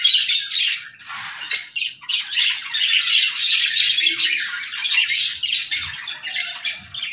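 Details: Budgies in the morning, chirping and chattering continuously: dense, scratchy warbles and squawks overlapping with rapid high chirps, a steady lively jumble with no pauses.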